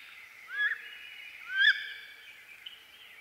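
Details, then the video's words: Wood duck, a perching duck of eastern North America, giving two rising, squealing whistled calls about a second apart, each sweeping upward and ending abruptly, over a steady faint background hiss. "Wood Duck Sound"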